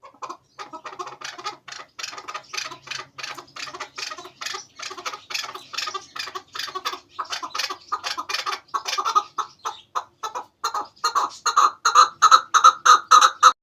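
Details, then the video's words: Chukar partridge calls used as a hunting lure, a rapid run of harsh clucking notes, about three per second, growing louder and more strident toward the end over a quiet background. "Chakor ki awaz |sound of kekliksesi partridge"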